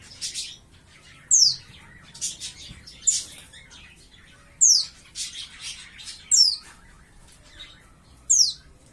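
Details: Young caged white-eye (pleci), roughly five to six months old and starting to learn to sing, repeats thin, high, downward-slurred whistles about every second or two, six in all, with faint twittering notes between them.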